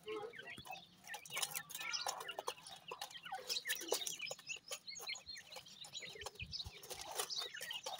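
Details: Dakhni teetar francolin chicks at feeding time, giving dense overlapping high chirps and peeps with frequent sharp clicks of pecking throughout.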